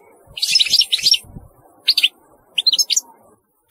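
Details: European goldfinch singing: quick bursts of bright, tinkling, twittering notes in short phrases separated by brief pauses, with a final short note at the end.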